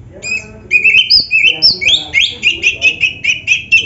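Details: Oriental magpie-robin (kacer) in energetic gacor song rich in isian, played to coax other kacer into singing; bright whistled notes alternate between higher and lower pitches in quick, steady, clipped phrases, roughly four per second.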